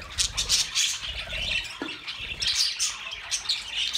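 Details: Short burst of budgerigar chatter, several birds giving quick shrill chirps and squawks at once, dense and continuous, with one lower squeaky note in the middle.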